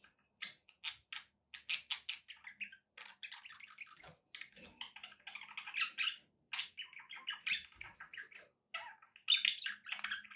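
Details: Domestic budgerigars in a room give continuous scratchy warbling chatter, made of fast buzzy chirps run together in long phrases, broken by short silences and a faint low hum.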